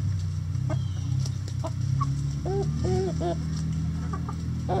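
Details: Hens in a coop make a few soft, rounded clucks in a quick run of three, with scattered clicks and a steady low droning hum underneath.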